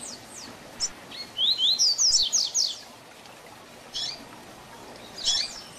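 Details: Training song for young birds in the Tui Tui Zel Zel style by a double-collared seedeater: a rapid series of high, clear slurred whistles, followed by a few spaced chips.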